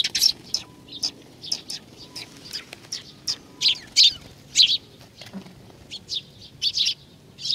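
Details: High, clipped chirps from sparrows gathering to be fed on 21 June 2020 at a Tenmangu shrine in Nakanoshima, Japan, scattered irregularly, some in quick pairs, against a quiet background.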